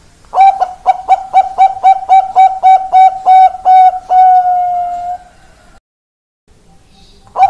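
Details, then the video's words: Perkutut Bangkok zebra dove, recorded 4 March 2023: a run of about twelve quick staccato coo notes that speed up and then end in one long drawn-out note, followed by a short pause and the start of another phrase. "Perkutut Bangkok Indo Perkutut"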